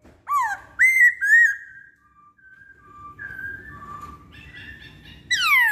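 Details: Masked laughingthrush (poksay Hongkong) singing: loud whistled phrases, a falling whistle then rising-falling notes, followed by softer sustained tones and a loud descending whistle at the end; faint low background hum.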